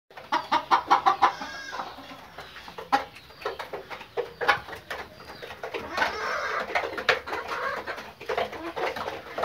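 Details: Pakistani Fayoumi chickens, a breed said to lay eggs daily, in a burst of loud, rapid clucks at the start, then scattered short clucks and squawks over a busy background of overlapping calls.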